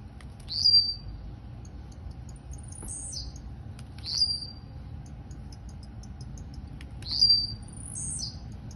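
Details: High, sharp, buzzy phrases from a Campainha-style blue-black grassquit in Campo Grande, Rio de Janeiro, three bursts about three seconds apart, each a rapid rising zip with a thin tail, over quiet background hum.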